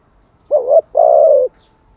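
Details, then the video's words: A single spotted dove phrase, played to train wild-caught and decoy doves: a short wavering low note, then a longer steady coo lasting about half a second. "Tiếng chim cu gáy mới nhất, dùng luyện chim gáy bổi và mồi hàng ngày"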